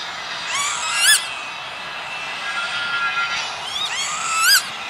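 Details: Northern lapwing near Veenendaal in the Netherlands, recorded 28 May 2013 on an industrial estate: a few buzzy, wavering, rising calls, one louder at the start and end, against steady background hum.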